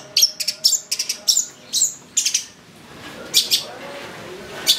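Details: Long-tailed shrike recording meant as a lure to provoke excited singing, a bird singing constantly with full varied phrasing: bursts of harsh, scratchy high notes in quick clusters, then a pause and a few louder sharp notes.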